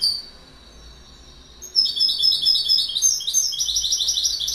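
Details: Goldfinch song: a soft high note, then a burst of fast, liquid twittering. Rapid chirps and trills follow one another densely for almost three seconds, with little background sound.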